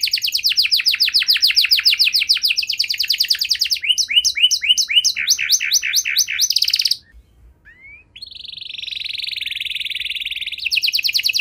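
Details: Canary singing in long varied tours: fast repeated chirp trills, a series of downward-sweeping notes, then a brief pause and a sustained buzzy roll before trilling resumes; meant to stimulate other canaries to sing.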